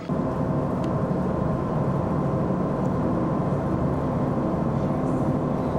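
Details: A steady, low engine or vehicle rumble runs throughout, with no animal calls.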